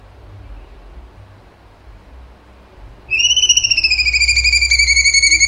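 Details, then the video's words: Cucak cungkok singing after three seconds of quiet: a loud, pulsed whistle with strong overtones that slides slightly downward and holds steady, beating rapidly like a trill. "CUNGKO GACOR TEMBAKAN HOT SUPER TEJEM"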